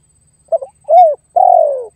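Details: Spotted dove challenge call for luring a rival: a stuttered two-part note, a curved falling coo, then a long slightly rough coo that slowly sinks in pitch, recorded close and clear.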